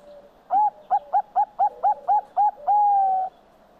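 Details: Zebra dove (Geopelia striata) song: a quick run of eight soft, rounded coos, about four per second, ending in one long, level drawn-out coo.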